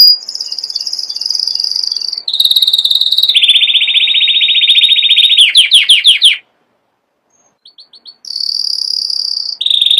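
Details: Canary runs through a chain of sustained trills at stepped pitches, a fast series of downslurred notes, a short pause with soft chips, then resumes with high ringing trills.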